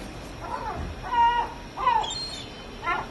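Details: Gulls in a group giving loud, slurred mewing calls, three strong drawn-out cries about a second apart, with fainter calls between them.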